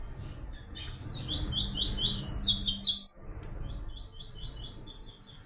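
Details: Double-collared seedeater (papa-capim, coleiro) singing the 'Tui Tui' song style, used for song training: rapid series of short, high sweeping notes, growing louder toward a bright burst, over a steady thin high tone.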